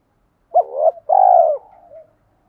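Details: Cooing of male and female spotted doves, played to excite newly caught birds into calling. A short rising note runs into a long, rich, level coo, then fades into a faint final note.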